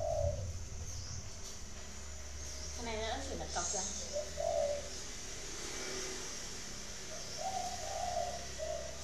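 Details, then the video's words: Captive spotted dove from a dove-keeping farm in Ba Vì, Hanoi, Vietnam, giving low mellow coo phrases at the start and end, with human speech, handling noises and a steady low hum in between. "chim cu gáy"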